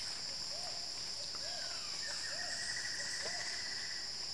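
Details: Wilson's bird-of-paradise on a lek with 4 males and 2 females, West Papua, Indonesia: short, low, arched notes about once a second and a drawn-out higher whistle, over a loud, steady, high insect drone.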